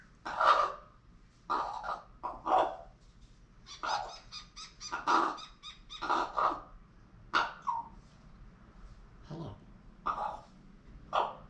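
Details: Female pet common raven, indoors, vocalizing at her owner as if trying to say hello: about a dozen rough, noisy squawks and croaky notes, unevenly spaced over several seconds.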